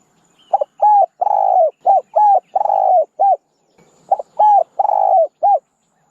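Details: Spotted dove song for decoying wild doves: two loud, clipped cooing phrases, each a short note, a level coo, a long rolling coo and a short closing coo, with a brief pause between.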